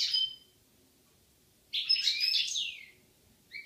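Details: European goldfinch from a pair recorded in Algeria in 2016: a brief high twitter at the start, a pause, then a dense tinkling burst of rapid chirps lasting about a second, with a short note at the end.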